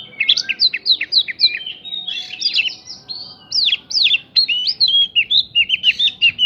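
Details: Lure song of an Oriental magpie-robin filled with prinia-like phrases, meant to make other birds respond: a fast, unbroken run of sharp whistled upslurs and downslurs, loud and rhythmic, repeated several times a second.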